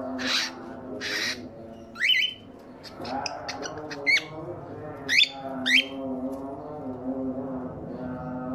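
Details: Male cockatiel calling while the female lays her first eggs after months of waiting: harsh broadband squawks early on, then short rising whistled notes and sharp chirps near the middle, over a steady tonal hum.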